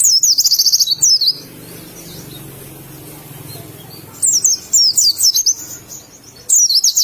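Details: Oriental white-eye from Indonesia, "ngalas" song: a fast high chattering trill opening, a long hushed pause with low background hum, then two short bursts of sharp high twitters.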